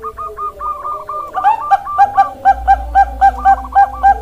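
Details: Bangkok-type zebra dove singing a steady string of short, clipped, bubbling notes, about four a second, after a softer wavering opening, with a low rumble underneath.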